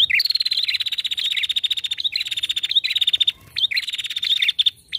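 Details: Captive female prinia calling continuously, a sustained fast rattling trill of high, evenly pulsed notes, broken by brief pauses and short sharp chips before the trill resumes, loud and clear with little background noise.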